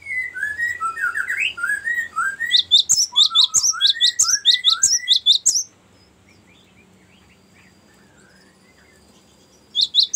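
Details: Cinereous tit giving a long rolling ngerol song, used for luring and as a tutor song: a run of lower whistled slurs, then sharp high chirped notes repeated rapidly, a pause of silence, and a final burst of chirps.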